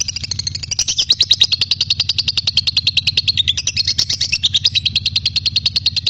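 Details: Continuous lovebird chatter for tutoring magpie-robins: quick, shrill, evenly pulsed notes about three per second, wavering slightly in pitch, with a faint low hum beneath.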